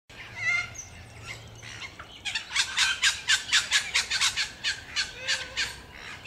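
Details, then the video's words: Musk lorikeets at Banyule Flats Reserve, Melbourne, Victoria, Australia, on 26 September 2021, giving rapid, shrill, screechy notes, a dozen or so in quick bursts, over a soft background rumble. "Musk Lorikeet (Glossopsitta concinna)"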